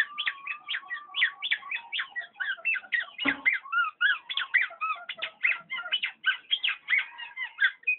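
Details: Black-naped oriole pouring out a dense, continuous jumble of quick whistled and chattering notes with hardly a pause.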